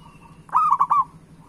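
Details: A single loud, rolling coo phrase from a local zebra dove, made of a few quick trilled notes at a steady mid pitch, meant to prompt other doves to sing.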